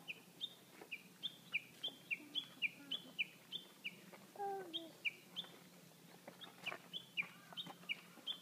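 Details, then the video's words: Springtime birdsong in April: a busy series of high, clipped chirps, several per second, sometimes in quick doublets, with a brief lower gurgling phrase midway and a faint low hum throughout. "Śpiew ptaków"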